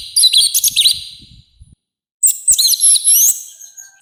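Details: A harsh, forceful orange-headed thrush song for training and provoking birds: two short bursts of jumbled, high warbling notes with a silent gap between.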